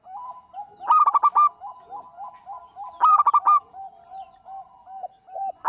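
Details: Local zebra dove singing steadily, meant to prompt other birds: two strong bursts of quick, harmonically rich notes two seconds apart, linked by a chain of soft downcurved coos, and a final burst at the end.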